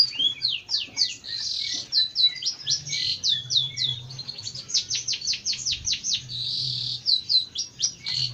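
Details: Singing Jentet bird pouring out a rapid, unbroken string of high sharp chirps and slurred whistles, becoming a dense rattle-like series midway, with a quiet background hum.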